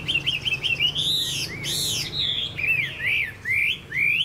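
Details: Chinese hwamei in a cage, a bird praised for singing well, delivers loud varied whistles: quick rising-falling notes, then ringing upswept phrases and looping trills, with a faint low hum behind.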